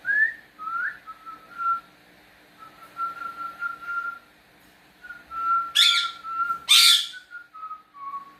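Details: A cockatiel kept as a pet whistles back and forth with its owner indoors. There is a long run of steady, level whistled notes, broken midway by two loud, harsh, broad screeches.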